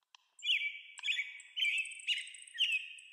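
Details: American robin calling in 8D sound: a nearly unbroken string of warbled, slurred whistled phrases, each about half a second long, laced with faint high twittering notes, with no background noise.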